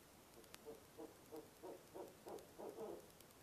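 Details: Barred owl at a nest box at 2am on November 4, two and a half months before nesting season, giving its monkey call: a series of about eight short hooting notes, roughly three per second, growing louder and rougher toward the end.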